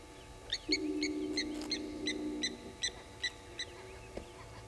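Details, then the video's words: Blacksmith lapwings mobbing an African harrier hawk at a South African waterhole on Djuma Game Reserve; ringing metallic tink notes, roughly three per second, over a steady low hum early on. "African Harrier Hawk not welcomed by Blacksmith Lapwings"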